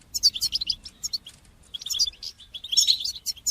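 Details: A European goldfinch sings batbata and sastasa phrases meant to encourage young birds to learn song: rapid, liquid, high-pitched twitters in dense bursts, with one brief gap midway.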